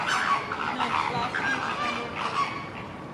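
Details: Mallard at Tiergarten Schönbrunn zoo in Vienna, recorded on a Lumix FZ82 camera; harsh, nasal quacks come in quick overlapping runs over a steady murmur of background noise.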